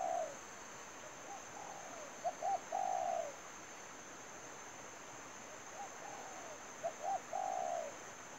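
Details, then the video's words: A spotted dove, recorded during dove trapping, gives soft, low cooing phrases: a few quick notes, then a drawn-out coo, repeated about every four seconds over a steady high insect-like whine. "chim cu gáy"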